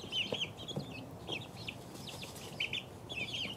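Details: Chorus of two-week-old chicken chicks giving high, thin peeps in short bursts, clusters of chirps at the start, middle and end, with soft scratching and low rustle behind.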